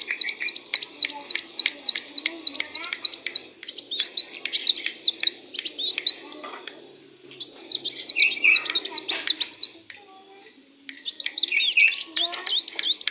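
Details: Sunbird, tame and singing hard, delivers long, fast series of high, sharp, evenly repeated chirps, then varied twittering phrases with gaps of near-silence between bursts.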